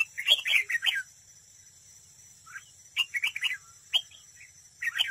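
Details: Red-whiskered bulbul acting as a trap decoy, singing competitively. Lively, liquid, warbling phrases come in three or four bursts about a second apart, over a faint steady hiss.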